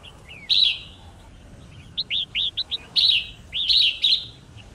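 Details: Red-whiskered bulbul, white-cheeked type, singing for song training and contest singing: harsh rasping notes alternate with a run of short, upslurred whistled notes, then more rasps mixed with whistles.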